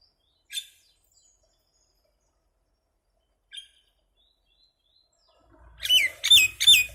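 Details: Little common myna making noise: two short isolated scratchy notes separated by quiet, then three loud harsh squawks with downward-bending whistled tones in quick succession.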